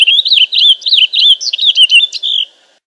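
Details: A purple finch delivers a loud, rich warbling phrase of rapid, looping notes, each swooping up and down, running about two and a half seconds before fading out.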